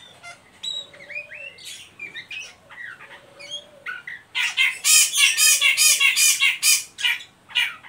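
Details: Oriental magpie-robin giving ngeriwik calls, used to lure and stimulate young birds to sing: sparse whistled notes at first, then a dense run of loud harsh scratchy bursts repeated rapidly through the second half.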